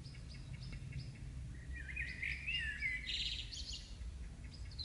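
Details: Birdsong outside a house on a May evening after rain, 2015: faint high ticking notes, then a clear rising and falling twittering warble in the middle, with low background rumble throughout.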